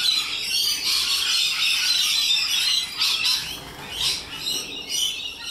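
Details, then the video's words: Wild rainbow lorikeets in Australia screech in strident, rasping bursts roughly twice a second, many birds calling at once in a loud, ragged chorus. "Loud and Obnoxious Parrots - Rainbow Lorikeets"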